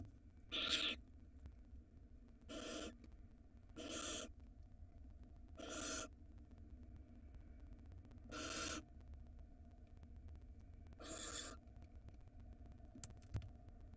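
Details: Breeding barn owls filmed in a nest box in Israel in 2022 as a large rodent appears; seven short harsh hissing bursts spaced about two seconds apart, against a low steady hum.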